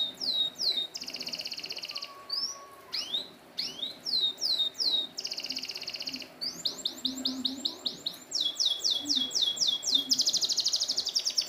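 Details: Canary song on a training recording for canaries that won't sing: phrases of falling swept notes alternating with dense high buzzy trills, a few slurred whistles, ending in fast repeated notes.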